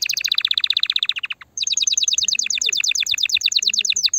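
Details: Canary song meant to stimulate a female for breeding: fast rattling trill of rapid repeated notes, a brief pause, then a longer high trill of evenly spaced notes.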